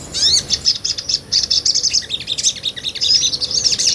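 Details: Sunbird, small nectar-eating songbird, in lively ngobra song used to tutor other birds: continuous very high, rapid twittering and buzzy chatter throughout, with brief rising sweeps.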